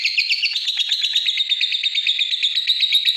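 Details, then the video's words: A lovebird chatters steadily in quick, buzzy high notes, a continuous rasping trill that starts a little higher and then levels off. "Love bird istimiwir"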